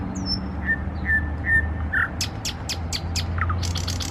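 A nightingale sings: a few slow, pure whistled notes, then a rapid run of hard clicking, chattering trills, over a low steady rumble.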